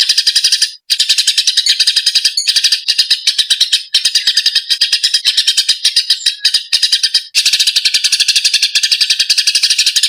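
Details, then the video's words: Eurasian tree sparrows fighting, a recording meant as training material for songbirds. Rapid, harsh, squawky chirps run almost nonstop, broken only by a few very short silences. "MATERI GEREJA TARUNG"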